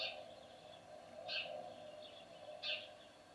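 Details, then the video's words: A noisy sparrow gives short, bright chirps, two loud ones about a second and a half apart with fainter ones between, over a steady low hum. "Noisy Sparrow"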